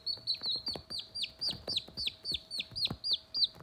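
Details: Few-days-old Sultan chicks at play, a rare crested white chicken breed; loud, piercing peeps that drop sharply in pitch, repeated steadily about three times a second, with faint tapping underneath.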